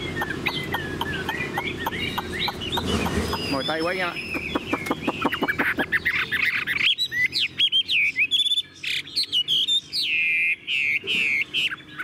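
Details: Caged tame Chinese hwamei: a blurred, noisy start with low chatter gives way to loud, clear whistled phrases and repeated looping notes separated by short gaps.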